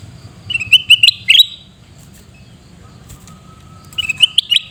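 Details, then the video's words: Shrieking calls of a sooty-headed bulbul (kutilang emas) in Pidie, Aceh: a fast run of loud, raspy, clicking bursts rising at the end, a pause with a thin steady tone, then another harsh chattering burst. "Suara Teriakan Burung Kutilang Emas"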